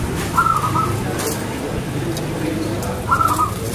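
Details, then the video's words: Zebra dove (local perkutut) in active song with a clear, ringing voice: two brief trilled coo phrases about three seconds apart, with constant low rumbling noise underneath. "PERKUTUT GACOR SUARA KRISTAL"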